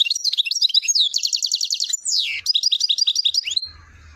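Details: European goldfinch from Chouala in Algeria's Relizane province, Mendes district, sings a fast, continuous liquid twitter mixing trills, a buzzy rattle-like stretch and sweeping slurred notes, ending on a descending whistle; faint low hum afterward.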